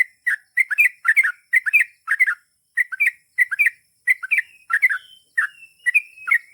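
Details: Sooty-headed bulbul delivering a long "ropel panjang" song in vocal form: brisk whistled phrases of two or three rising and falling notes, about two phrases per second, with a few drawn-out slurred notes near the end.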